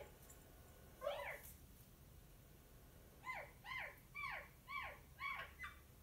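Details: Pet rose-ringed parakeet kept indoors: one sharp rising-falling squawk, then a run of six quieter, evenly spaced chevron-shaped calls about half a second apart, over a steady background hiss.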